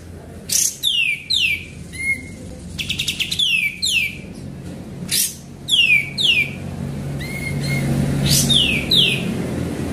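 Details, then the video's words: Sooty-headed bulbul singing actively, used as a lure recording: sharp whistled notes sweeping steeply downward, given in quick irregular bursts of two or three, with a low rumbling hum and some traffic noise underneath. "Pancingan Burung Kapas Tembak Gacor"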